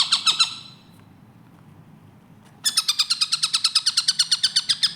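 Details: Long-tailed shrike (tengkek buto) in a clear, rapid training recording: a short burst of harsh notes, nearly two seconds of silence, then a run of loud, buzzy, evenly spaced strokes about three per second.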